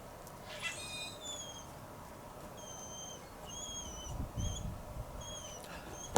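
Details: At a wilderness campsite in Algonquin, a grackle imitates a begging dog with thin, high, whining whistles, short rising and falling notes about every half second, over low rumbling background noise.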